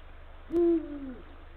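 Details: A male Eurasian eagle-owl calls his mate from the nest site in late afternoon, 17 February 2023: one low, resonant hoot with a gentle downward-sliding tail, preceded by a faint click.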